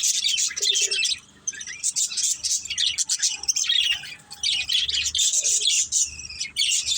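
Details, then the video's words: Pet budgies, a playing family group, give a steady chatter of high scratchy warbles and tweets, with a few lower whistled notes and brief lulls. "Beautiful Budgies Chirping Sounds"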